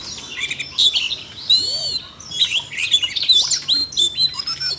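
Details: Siberian rubythroat singing, set off by training audio played for a young bird: rapid, varied high warbling with whistled slurs and chirps, delivered in short bursts with brief pauses between them.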